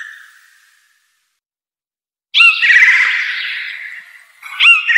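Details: Blue jay (Cyanocitta cristata) giving one long harsh, rasping call that slowly fades, then a shorter harsh note starting near the end. The first two seconds are mostly quiet, with only a faint tail of an earlier sound.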